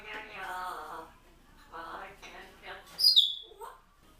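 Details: Two grey parrots left briefly alone at home in their room, talking: speech-like babbled phrases followed by a sharp high whistle and a short squeak.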